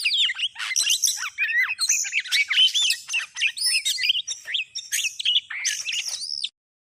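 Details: Oriental magpie-robin lure sound for bird trapping, a busy, continuous stream of sharp chirps, squeaky slurred whistles and harsh buzzy notes in quick succession, ending abruptly before a short silence.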